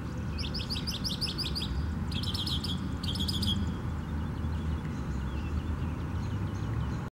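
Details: Northern mockingbird singing at Tattnall Square Park, Macon, Georgia, on May 27, 2015: three quick phrases of sharp, high notes, each repeated several times in a row, then quieter, with steady low traffic-like rumble throughout.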